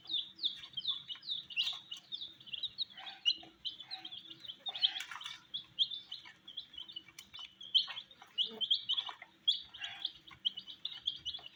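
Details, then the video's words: Baby chicks, colored, eating wheat; many high thin cheeps repeated quickly and irregularly, forming a steady shrill chorus over light scratching and pecking sounds. "Colors MURGI baby Chicks are eating "wheat Challenge" with "Chicks Chirping" Sounds"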